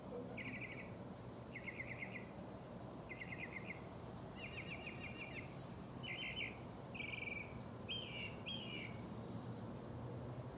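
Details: Loud birds outside where someone is trying to work: a series of short, bright trilled chirp bursts, about eight phrases spaced roughly a second apart, later ones turning into slurred whistles, over steady low background rumble.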